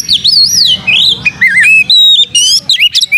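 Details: Tail-spreading kacer, the Oriental magpie-robin, in full lure song: wavering, modulated whistles rising and falling, interspersed with short chattery notes and brief silences, loud and close.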